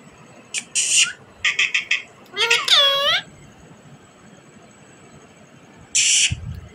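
A rose-ringed parakeet gives harsh, raspy syllables in quick bursts, then a nasal, voice-like phrase that rises and falls, and ends with one more rasping burst.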